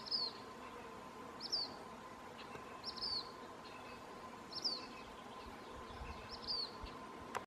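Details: A black phoebe sings sharp, high, down-slurred notes about every second and a half on the Bill Williams River, Arizona, over a steady background hum and faint outdoor noise.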